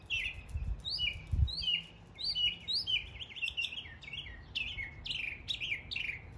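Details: Northern mockingbird in East Tennessee mocking the calls of local birds, a rapid medley of upslurred and downslurred whistles in changing pitches, phrases repeated a few times before shifting, with a low thump.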